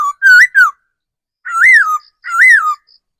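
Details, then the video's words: Forest decoy laughingthrush singing three rich whistled phrases, the first a rising-falling trio of notes, then two long arched whistles, with a faint high pip near the end. "Tiếng chim khứu mồi già rừng"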